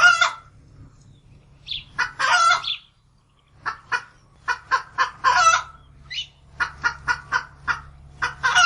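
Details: Hen giving alarm calls: short, staccato clucks in quick runs, broken by loud, harsh, drawn-out squawks, with a steady low hum underneath.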